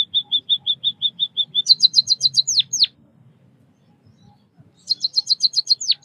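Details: High, evenly spaced chirps from a White-headed munia (Lonchura maja) of Southeast Asia speed into a faster burst ending in two falling notes, then a pause before another quick burst.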